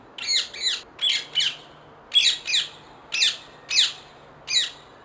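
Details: Wild rose-ringed parakeet calling: harsh, raspy squawks, mostly in close pairs, nine in about five seconds, over a quiet background with a faint low hum.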